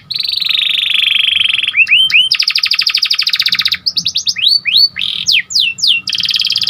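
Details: Panda canary singing energetically: a held buzzy note, a few upturned whistles, a long fast rattling trill, then varied sweeping whistles and ringing buzzy phrases.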